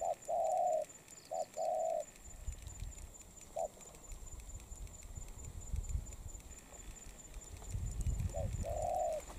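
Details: Wild-caught spotted dove in molt cooing: a long hollow coo, a shorter paired note, then a single brief coo, with low rumbling and pattering noise between phrases and a final two-note coo at the end.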